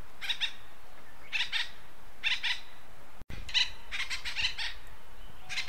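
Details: Acorn woodpecker from western North America giving harsh, nasal calls in doubled and tripled bursts, roughly every second, with a brief dropout midway and a faint steady background hiss.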